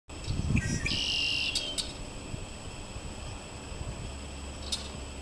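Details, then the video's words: Red-winged blackbirds in a backyard maple tree, just sitting and calling: a few quick short notes, then a harsh, buzzy trill lasting about a second, over a low background rumble and a few sharp clicks. "Redwing black birds just sitting around making noise"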